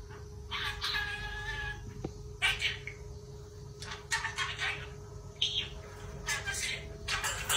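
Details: Pet budgerigar singing the AKB48 song "Aitakatta" as speech mimicry. Short scratchy chattering bursts come every second or two. A steady electrical hum runs underneath.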